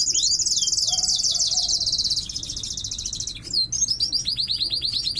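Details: Bird in breeding condition giving its first song of the morning, loud because of breeding but sometimes softer during moult: dense high trills and rapid buzzy phrases, shifting into quick rising-falling whistled notes.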